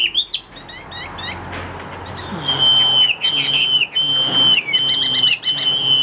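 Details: Chinese hwamei, a caged bird for sale, opens with short slurred whistles, then holds several long, clear, level whistled notes, each about half a second, repeated with brief breaks.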